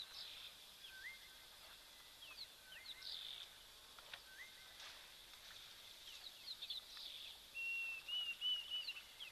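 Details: White-faced whistling ducks at a South African waterhole on 9 November 2024 give clear, thin whistled notes in short groups every second or two over a busy chorus of songbirds, including greater blue-eared starlings.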